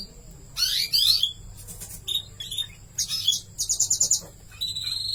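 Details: Canary chicks being fed by their mother: shrill, high chirps and sweeping squeaks come in bursts. They build into a rapid pulsed series of about six sharp notes, then end in a thin sustained whine.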